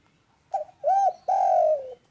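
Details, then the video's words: Loud, calm spotted dove call for encouraging lazy doves to call: a quick broken note, a rounded arched coo, then a long, smooth coo that gradually drops in pitch, over near silence. "MASTERAN DERKUKU malas bunyi biar cepat GACOR"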